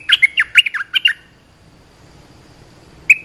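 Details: Olive-winged bulbul call, played to train young birds and lure wild ones: a hurried chatter of about eight rising and falling chirps over one second, then quiet and one final note.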